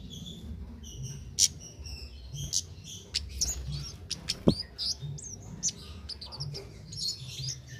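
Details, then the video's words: Cit keres singing steadily outdoors without doping, suited as a master for training songbirds; crisp high chirps, quick descending flicks and clicking notes in irregular bursts, with a low pulsing hum underneath. "Cit Keres Nembak Buat Masteran"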